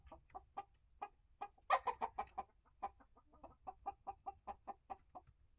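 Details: A mixed flock of chickens in a coop, mature hens one year old in May 2023 plus integrated chicks of several breeds. Continuous clucking at about three per second, with a brief louder, harsher flurry early on.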